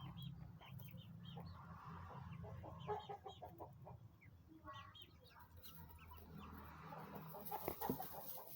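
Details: Nine 20-day-old chicks peeping: short high chirps scattered through the clip, with clucking-like lower notes and a steady low hum underneath.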